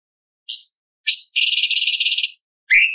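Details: Tembakan song of a light-vented bulbul mixing in lovebird, parakeet, ciblek and pancawarna phrases: two sharp high chirps lead into a dense, rattling buzzy trill almost a second long, then a rising whistled note.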